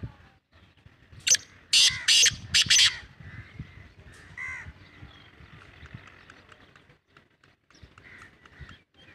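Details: Black francolin, locally called kala teetar, delivering a loud, harsh, grating phrase of four rasping notes in quick rhythm, followed by softer scattered notes and faint background birds.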